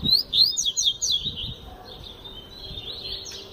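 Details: Tui tui zel zel song of a double-collared seedeater, delivered forcefully: quick high downslurred whistles in a fast burst, easing into softer, thinner warbled notes over a quiet background.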